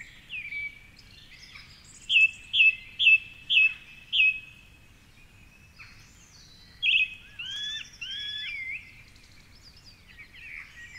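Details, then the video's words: Dawn song of a male song thrush singing from the top of a tall tree along the Curragheen River, Cork City, at 4.45am; one sharp note repeated five times, then looping whistled phrases, other birds faint behind. "Dawn Chorus with Song Thrush"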